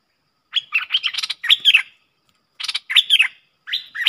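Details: Streak-eared bulbul pair in a fierce singing duel, lure audio of 30 October 2021: short, rich phrases of slurred chirps, repeated after brief pauses, nothing else audible.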